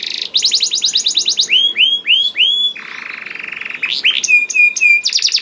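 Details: Canary song meant to prompt other canaries to sing; quick high trill, a few slow rising-falling whistles, a low flat buzzy roll, then sharp repeated chips and another trill.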